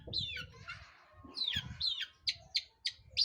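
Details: A long-tailed shrike sings in a lure recording aimed at provoking other birds. Downward-slurred, scratchy phrases are followed by three crisp, high notes spaced about a quarter second apart, with low background rumbling.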